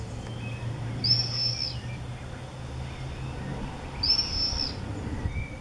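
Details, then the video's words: Common swifts acting as 'bangers' at observation nest-box entrances on a home in Beek-Ubbergen, Netherlands, 8 June 2014. Two shrill, piercing screams about three seconds apart, each roughly half a second long, with low background rumble. "Bangers bij observatiekasten"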